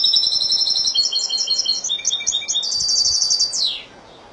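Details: Malaga-style song of a Spanish goldfinch. A dense, high, tinkling run of rapid chirps and trills lasts over three seconds and ends in a falling slur. Quiet hiss follows.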